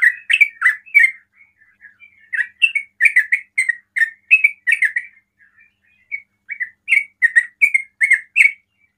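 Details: Ropel song of a sooty-headed bulbul, said to make other bulbuls answer: clusters of quick chattering whistled notes, a softer scattered stretch midway, then renewed rapid bursts of slurred phrases.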